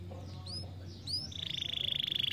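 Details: Canary stimulating song: two quick rising whistled sweeps, then a fast, even, rapidly pulsed trill at a steady high pitch that grows louder, over a low steady hum.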